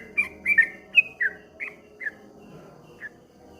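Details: Sparse, clear whistled chirps of a streak-eared bulbul, 'ropel ngombak banyu' style, starting in a quick cluster and slowing to single notes with gaps, over a faint low drone.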